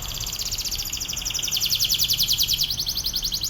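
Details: Atlantic canary singing a training song for other canaries: a fast, dense, high trill of repeated buzzy notes, with rolling phrases sweeping slightly up and down throughout.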